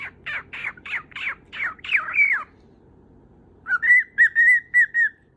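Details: Pet lutino cockatiel angling for attention; a series of harsh squawks rising into a long rasp, a pause, then a clearer run of short, level whistled notes.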